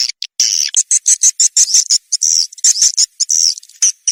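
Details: Swiftlet farmers' lure sound, SP. KADITA type, meant to attract swiftlets to nest houses: irregular bursts of high buzzy twittering chirps, some run together, about two a second.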